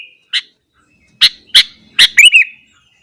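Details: Sooty-headed bulbul singing in the morning, its energetic song meant to stir up other bulbuls: a few sharp, separate chips, then three quick, forceful notes ending in a bubbly, slurred warble.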